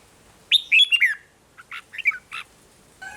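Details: Red-whiskered bulbul giving 'rik'-style song, played to stir caged birds: a rich, rolling whistled phrase, then several shorter, chirpier notes and a brief buzzy note at the end, over a faint background hiss.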